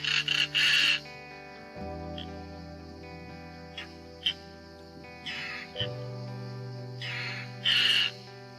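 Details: European Roller in Italy after its chicks fledged, calling from a nest box to other rollers during the nest-box "booking" ritual, seemingly claiming it for next year: harsh, rasping bursts in short groups, loudest at start and near end, over background music.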